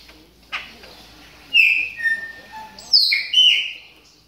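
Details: A moulting Chopi blackbird warming up gives a few whistled notes that dip and rise, then a sharp high slurred phrase, with quieter gaps between.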